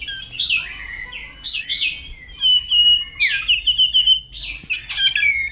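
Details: Morning koar singing of a white-rumped shama in Indonesia, fast and varied: high fluting whistles, rapid trilled runs and slurred phrases pouring out almost without pause, ending with a sharp burst and falling whistle.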